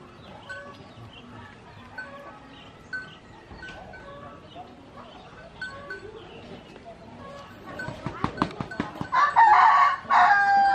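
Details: A fierce, vocal Green junglefowl (Gallus varius) gives a single short, hoarse, harsh crow near the end, preceded by quieter scattered bird chirps and background clucking.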